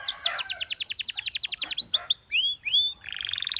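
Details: Canary trilling quick repeated chirps for nearly two seconds, then two separate upward-swept whistled notes and a steady fast-pulsed trill at the end.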